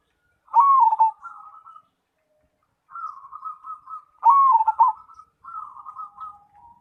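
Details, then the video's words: Zebra dove of the Cemani variety delivering two vigorous, warbled coos that drop in pitch, each followed by a softer rippling series of coo notes, with silent gaps between. "Perkutut Cemani Gacor"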